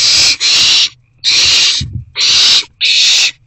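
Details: Owls in a nest box, evening of 29 March 2024, during rodent deliveries: four harsh, breathy screeches, each under a second long. A dull low knock falls in the gap between the second and third.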